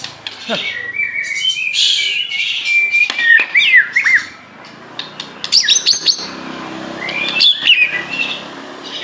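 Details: Aceh white-rumped shama in persistent song: scratchy, buzzy warbling mixed with looping whistles and sharp high notes, over a constant background hiss.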